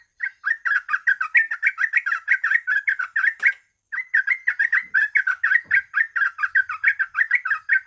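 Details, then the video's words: Yellow-vented bulbul in loud, continuous bubbling song, used as a lure so other birds will sing. Rapid slurred notes repeat several times per second in two long bursts separated by a brief pause, against a quiet background. "TRUCUK GACOR,TRUCUK ROPEL,PANCINGAN BURUNG TRUCUK AGAR GACOR DORR"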